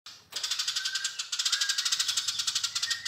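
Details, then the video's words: Eurasian tree sparrow in lively voice, giving a long chirping run: a dense, harsh rattle of rapid, evenly spaced chirps, about ten per second, held for nearly three seconds after a brief pause, with a faint low hum beneath. "Gereja Gacor Nyrecet Panjang"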